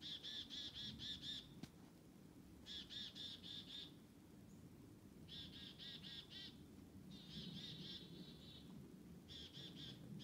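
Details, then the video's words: Black-capped chickadees following people through a forest, giving rapid repeated buzzy notes in bursts of about a second, five bursts separated by short pauses, over a low background rumble. "Black-Capped Chickadee’s were following us in the Forest"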